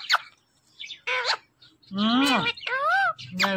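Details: Indian ringneck parrot, a pet talking bird, giving speech-like phrases in separate bursts: harmonic, voice-like syllables, one falling and one rising-then-falling, between short squeaky notes and pauses.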